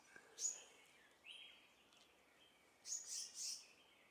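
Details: Female Verditer flycatcher in Hong Kong: a sharp high chirp, a short lower note a second later, then a cluster of three bright high chirps near the end, against a quiet steady background hiss.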